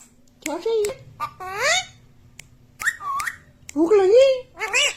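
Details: Ringneck parrot imitating human speech, repeating "mummy" and "mithu" in short, warbling, voice-like phrases with swooping pitch and a squeaky edge, in a small room.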